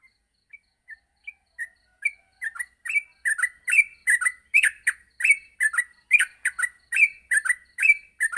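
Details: Morning song of a yellow-vented bulbul, used for training birds to sing nonstop: a few soft isolated chirps at first, then building into a dense run of loud, sharp two-part chirps, roughly seventy per minute, irregularly spaced.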